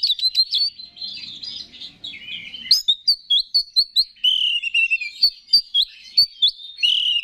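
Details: Oriental magpie-robin in full gacor song meant to excite rival males, mixing scratchy warbled phrases with a rapid sequence of bright repeated upslurred whistles and sustained clear notes.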